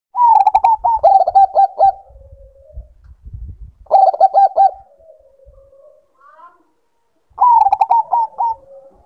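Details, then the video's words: Bangkok-type zebra dove in breeding condition, kept as a cage bird, giving three bursts of rapid staccato cooing notes, each ending in a soft low purr, with faint low thumping between the first two bursts. "Naikan Birahi Perkutut Bangkok"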